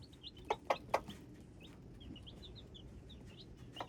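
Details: Peeps of hybrid chicks, thin and high and sliding downward, come in loose clusters. Three loud knocking sounds fall close together early on, over a low constant rumble.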